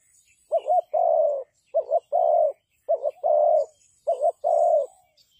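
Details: Spotted dove used as a trapping lure, repeating a low coo phrase roughly once a second: a clipped double note then a sustained mellow coo, with light high chirps faintly behind.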